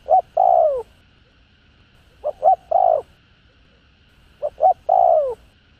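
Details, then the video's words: Cooing spotted dove in a recording meant to stimulate decoy birds: three phrases about two seconds apart, each a short pair of notes leading into a loud, long downward-sliding coo. "Cu Gáy Giọng Hạp BổI ĐỦ BÀI [ GÁY GỌI,THÚC,GÙ ]"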